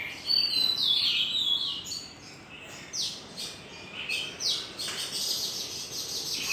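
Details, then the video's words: Birds singing at dawn to greet the new day: bright, high chirps and short whistled notes, some sliding downward, given in quick irregular bursts over soft background hiss. "Chim hót líu lo chào mừng ngày mới"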